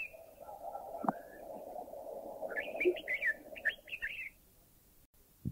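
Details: A Red-whiskered Bulbul, recorded in a Thai national park, gives a short, bubbly run of warbled, up-and-down notes lasting under two seconds, over a steady low hum with a voice at the start.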